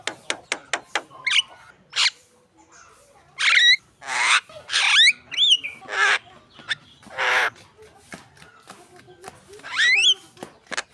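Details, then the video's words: Javan myna singing as a lure for contest birds. A run of sharp clicks leads into long noisy rasps and bright upward-sweeping, wavering whistles, repeated with gaps between phrases. "SUARA PANCINGAN ORIGINAL BURUNG JALAK KEBO GACOR SIAP LOMBA"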